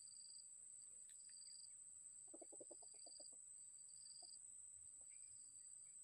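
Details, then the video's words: Red junglefowl crowing as a decoy to lure an old wild bird that is still hesitant: a second-long burst of rapid, stuttering low harmonic notes, then a few faint single notes, all over a steady high-pitched insect drone. "MIKAT AYAM HUTAN ORI TUA INI MASIH RAGU-RAGU"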